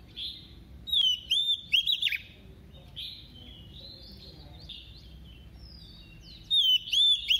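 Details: Decoy female Oriental magpie-robin giving double-voiced song meant to stir males: clusters of clear, warbling whistles with sharp upward flicks, a softer stretch of faint notes in the middle, then another loud whistled burst.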